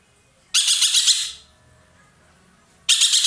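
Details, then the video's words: Roller, a bird kept by Indonesian songbird hobbyists as a tutor bird and noted for its loud voice, gives a harsh, rasping burst of about eight rapid pulses lasting under a second. After a pause, a second burst begins at the end. "burung ekek Keling gacor nembak"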